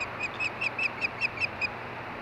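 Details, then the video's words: Osprey at the Hellgate nest in Montana, filmed at 8:30 PM during mating: a run of short, high, chirping whistles repeated about five times a second, fairly faint over steady background hum. "Hellgate Ospreys_More Mating"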